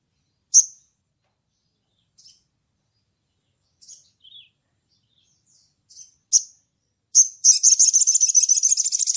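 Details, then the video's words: Crimson sunbird calling to a rival in 'ngleper' style: scattered short, sharp high chips and a few faint notes spaced over several seconds, then a sudden rapid, very high buzzy trill at the end. No other sounds. "SOGON GACOR NGLEPER MEMANGGIL LAWAN"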